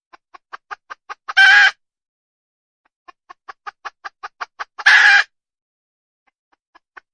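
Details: Wild red junglefowl hen calling: a quick series of sharp clucks speeding up into a loud raspy burst, then a second run of clucks and another harsh squawk, with a few faint clucks at the end.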